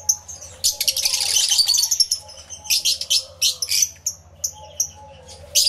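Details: Aviary full of lovebirds, including yellow-collared lovebirds, recorded live with twin external microphones: a swelling burst of raspy, shrill chatter, then scattered single high squeaks and short chirp clusters.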